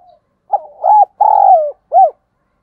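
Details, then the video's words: Spotted dove used as a decoy to stimulate cooing in others: one clean, loud phrase of a brief note, a rising hollow coo, a long level coo and a short arched closing note. "Chim Cu Mồi - chim cu gáy kích bổi nhanh nổi và tập mồi hiệu quả"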